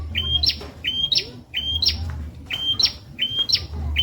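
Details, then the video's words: Master song of a bar-winged prinia for magpie robin and leafbird training: sharp, evenly paced phrases, a steady whistled tone rising abruptly into a clicking upward flick, five times in four seconds, over low hum. "Burung Prenjak Masteran Viral Buat Murai & Ijo"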